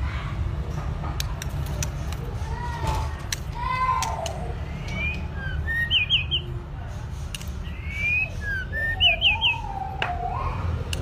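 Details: White-rumped shama, two-season bird in singing training: soft low whistled slurs mixed with short rapid high triplets, phrases spaced a few seconds apart over constant low hum.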